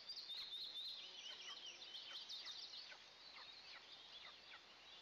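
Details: At an Eastern imperial eagle nest, two eaglets get their first breakfast of the day on June 29, 2024, recorded by a nest camera. Shrill chirps come about twice a second, irregular and overlapping, slightly softer toward the end.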